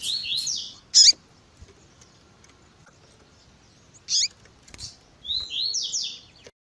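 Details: Double-collared seedeater in tui tui zel zel style with a female call used to excite males: rising buzzy slurred phrases at start and end, separated by loud sharp chips and a long quiet stretch.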